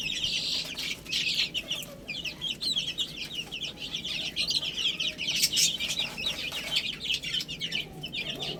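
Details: Several domestic chicks chirping while eating spinach: a dense, continuous chatter of high, thin peeps overlapping throughout, with no pause.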